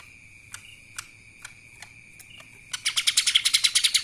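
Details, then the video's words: Faint, widely spaced chips from a lesser green leafbird give way abruptly to a loud, fast chattering run of bright notes, the kapas tembak song style, over a steady high tone. "CUCAK ijo mini Fulll suara KAPAS TEMBAK...!"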